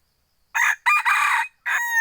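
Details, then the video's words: Crow of a second-generation (F2) junglefowl hybrid: rasping first syllable, a longer buzzy phrase after a short break, and the start of a clear sustained end note, all in silence. "Tiếng gà rừng f2 gáy"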